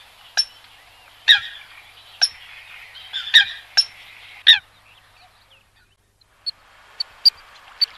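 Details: Eurasian coot giving sharp, nasal honk-like calls spaced about a second apart, then quieter thin high pips near the end.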